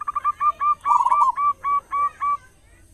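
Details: Strong-voiced local zebra dove singing to draw other doves into song; a quick string of clipped coos, a rolling middle trill, then evenly spaced separate coos.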